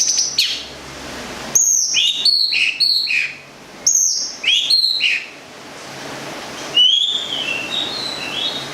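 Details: Long-tailed shrike (cendet) from Gedong Songo, Central Java, kept for its song: a few loud high whistles and falling slurred notes in short bursts, then quieter, softer warbled phrases.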